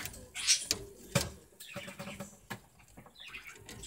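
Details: Pet budgerigar gnawing on a piece of sugarcane made for small animals, recorded 17 February 2018 indoors. Irregular dry crunching and sharp clicks come in uneven bursts, with a short high squeaky note near the start.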